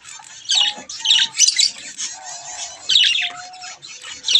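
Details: Budgie chicks at play by a mirror utter bursts of scratchy high chatter, mixed with a few thin, steady low whistles held for a fraction of a second.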